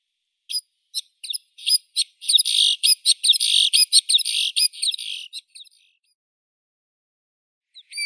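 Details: Scattered high chirps from a white-winged snowfinch speed up into a dense, buzzy chattering run of about twenty notes, trail off, and one last chirp follows after silence.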